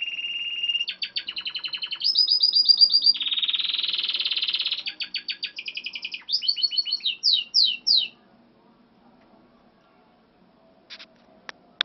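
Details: Timbrado canary singing: a rapid run of trilled rolls and sustained buzzy tours, each phrase a fast string of identical notes, shifting pitch and speed for about eight seconds, then near silence with a few faint clicks.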